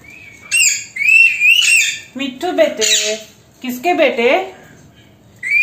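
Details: Female Alexandrine parakeet, an Indian pet talking parrot, indoors, producing speech-like phrases in Hindi mixed with harsh squawks and wavering whistled notes, in several bursts with short pauses.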